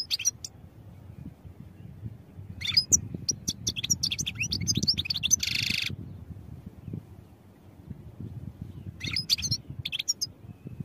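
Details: European goldfinch song for training: short bursts of bright, rapid twittering and tinkling high notes, one burst ending in a drawn-out buzzy note, separated by silent pauses over a steady low rumble.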